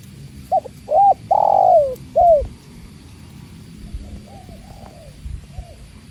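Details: Tekukur (spotted dove) with the sound of water: a clear phrase of four soft coos, the third long and sliding down. Fainter, more distant coos answer afterward over a steady low murmur.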